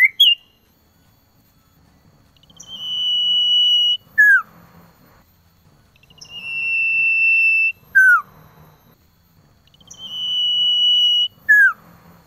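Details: Male cipoh (common iora) calling to a female in the cold season: a long, steady, high whistle held over a second, ending in a quick downward slur. The phrase repeats three times, roughly every four seconds, over faint low rustling.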